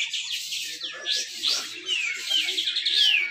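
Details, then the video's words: Contest recording from Malinau, North Kalimantan: a caged grey-cheeked bulbul sings high rising-and-falling whistles and thin sliding notes in dense 'besetan rapet' style, with faint background chatter. "cucak jenggot besetan rapet"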